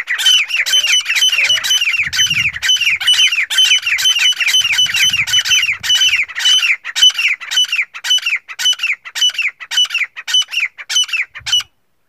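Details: Teetar, a male black francolin, calling to a female: long, steady run of harsh, rasping notes with downward sweeps, roughly two per second, thinning toward the end, with occasional low background rumbles.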